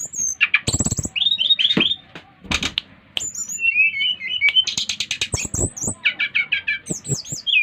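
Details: Lively song of a brown-chested jungle flycatcher from Bali, five months old, sung to set other birds singing: sweet high whistles, quick warbled phrases and fast trilled runs among loud clicking knocks.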